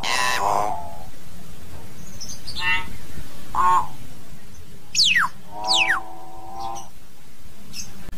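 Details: Flock-calling song of a common hill myna: a raspy burst, a short bell-like note, then two loud falling whistles followed by a drawn-out nasal buzzy tone, with faint hum behind.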